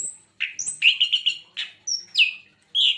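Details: Javan white-eye singing a quick series of high chirps and slurred whistles, including a run of rapid repeated notes and a falling whistled slur.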